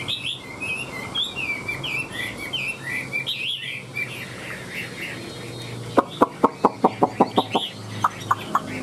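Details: Chinese hwamei in a cage, displaying with spread tail and flicking wings, sings a varied string of looping whistled phrases, then breaks into a rapid burst of hard, dry clicks followed by a few more whistles.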